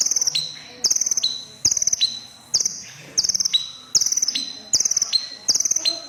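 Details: Crimson sunbird, a red-breasted bird known locally as konin or kolibri ninja, singing persistently: high, thin pulsed trills followed by a short lower tail, repeated about every 0.8 seconds.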